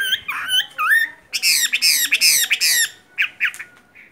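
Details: Caged Chinese hwamei from Vietnam giving loud, harsh squawking notes in a rapid series of four or five bursts, preceded by a couple of clear whistled slurs and followed by shorter whistled notes.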